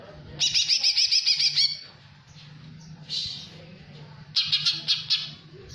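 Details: Captive greater green leafbird singing a jamtrok-style song with tengkek (kingfisher) fill-ins: a rapid run of bright, harsh, squawky repeated notes, a pause, a single buzzy burst, then another quick series of loud scratchy notes, with a low steady hum behind.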